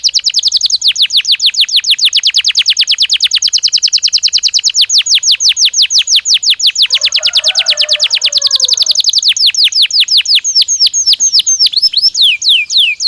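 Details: Belgian canary song used as stimulus for training: a long rapid trill of steeply falling notes at steady pace, ending in slower looping descending notes; a faint lower warble briefly in the background.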